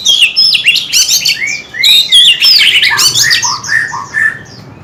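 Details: Rich, fast white-rumped shama song with the tail flicking: tumbling clear whistles, rapid slurred notes and bright high flourishes packed closely together, then softer repeated rising phrases, above faint background noise.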